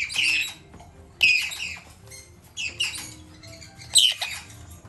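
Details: Four red-capped parrot chicks, hand-fed three times daily, in a shop: harsh raspy squawking bursts repeated roughly every one to one and a half seconds, with faint low background hum.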